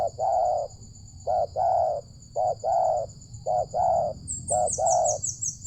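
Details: Spotted dove, a loud-voiced wild bird behind a village, cooing during a luring session: short two-part coos repeated about once a second, with a steady high insect drone and faint chirps above.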